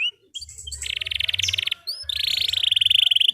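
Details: Canary delivering a close-packed roll, 'rol rapat', in long 'gacor' song: buzzy, rapidly pulsed trills in two long bursts with a few upswept whistles between, over a steady low hum.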